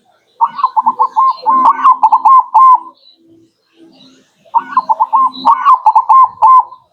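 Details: Zebra dove (perkutut), local bird, cooing as a lure to attract wild doves: a rapid series of soft, rounded mid-pitched coos rolled together into a phrase lasting about two seconds, repeated after a pause, with faint background rustling.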